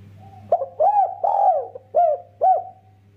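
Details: Spotted dove, an energetic caller, its coo used to prompt other doves to sing: a rhythmic phrase of about five coos, short lead note, long drawn middle hoots, two crisp closing notes, low mains-like hum underneath.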